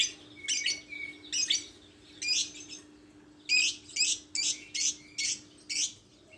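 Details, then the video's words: Lovebird calling: a series of short, sharp, high-pitched chirps and squeaky notes in irregular bursts, with brief thin whistled tones between some chirps and a faint steady low hum underneath. "Suara burung Lovebird"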